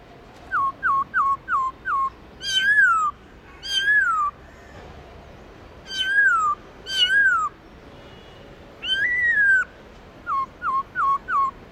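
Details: Laughingthrush song, black-throated, in the wild giọng rừng style: quick runs of four or five short clipped whistles open and close the passage, framing a series of longer, full-toned downslurred whistles.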